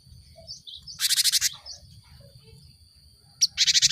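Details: Cinereous tit sound used to prompt caged birds to sing. A few soft high notes, then two bursts of loud raspy rapid chatter.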